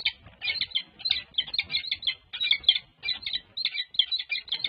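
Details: Peregrine falcon female and new male in courtship at a nest camera, UC Berkeley, February 14 2024; clusters of scratchy chittering notes come in short bursts of three or four, with faint background rumble.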